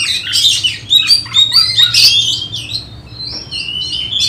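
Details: Oriental magpie-robin being prepared for a songbird contest, singing a busy run of varied whistled and chattering phrases, sliding notes and sharp chirps in quick succession, with a faint low hum beneath.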